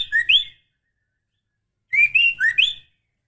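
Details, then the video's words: Female White-rumped shama, in breeding condition, calling to a male: two short bursts of sharp chirping whistles with quick upward slurs, separated by over a second of silence. "Suara Murai Betina Gacor Memanggil Jantan"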